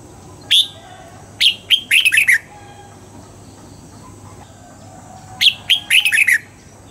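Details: Red-whiskered bulbul singing at dawn during voice training for the 'old forest' double-note style: two crisp phrases of an opening whistle followed by a rapid tumbling cluster of bright notes, about four seconds apart, over quiet hiss.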